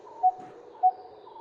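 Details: Coppersmith barbet in Bombay (Mumbai), India, gives three hollow, low 'tuk' notes about every 0.6 seconds, like metal tapping, over a soft steady hum.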